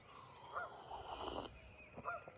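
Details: Geese at sunrise on a Michigan lake on a 45°F March 11 morning, many making a lot of noise; two short, nasal honks about one and a half seconds apart, over a soft background hiss.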